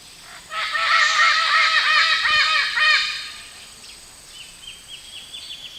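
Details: Red-tailed Amazon parrot from Brazil, played from a laboratory sound archive during a lesson: a rapid run of arched, rasping harmonic notes about four per second, fading into a quieter string of higher notes.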